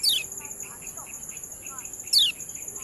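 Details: Ciak calls of the kecial kuning: two loud, fast downward-sweeping squeaks about two seconds apart, between them a quick regular train of soft short chips and faint slurred notes, over a steady high whine.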